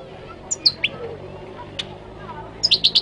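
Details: Moroccan goldfinch singing: a few scattered high chirps, then a quick run of four bright, clipped notes near the end, over a quiet background murmur.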